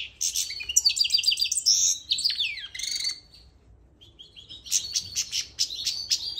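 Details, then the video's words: Goldfinch mule, a bird used to teach young birds, singing fast twittering phrases with sweeping slurs, falling silent for about a second, then resuming with sharp repeated chips. "Mule goldfinch نغل شي تمام لتعليم الفراخ"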